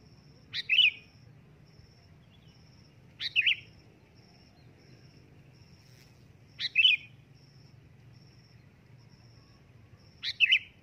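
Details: Sooty-headed bulbul giving loud calls. Four crisp, bubbly phrases are spaced about three seconds apart, and a steady dashed high tone runs throughout.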